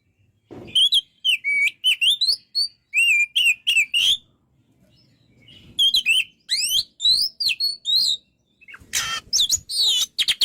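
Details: Kacer, the Oriental magpie-robin, in lively tutor song for training birds: fast runs of sharp whistles and twisting slurred notes, a brief pause mid-clip, then a loud buzzy, harsh burst near the end.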